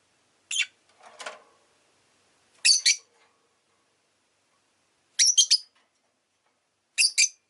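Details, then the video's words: Rosy-faced lovebird uttering shrill, raspy chirps in clusters of two or three, spaced a couple of seconds apart, with one soft lower rustle near the start. "Lovebird Chirping Sounds"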